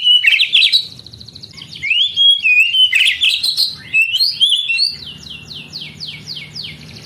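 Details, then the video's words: Kacer, the oriental magpie-robin, singing in a recording meant to spur young canaries to sing. Buzzy, scratchy phrases mix with slurred whistles, then a fast run of repeated descending strokes, about four a second, over a low background hum. "Terapi Kacer tercepat | kenari paud malas bunyi langsung NGADU"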